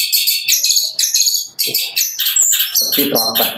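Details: About six months old, a young long-tailed shrike kept as a contest songbird pours out fast, tightly packed high chirps and trills in short repeated bursts, with a sharp whistled note midway and faint human voices near the end.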